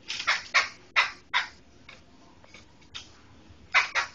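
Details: Medan black laughingthrush giving rasping, noisy bursts, several in a fast run at first, then spaced notes, ending with a quick double burst; no other clear sounds.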